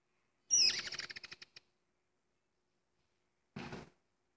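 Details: A female speckled mousebird meeting her new mate for the first time gives a high, thin whistle that breaks into about a second of rapid twittering chatter that fades away. A brief rustling burst follows.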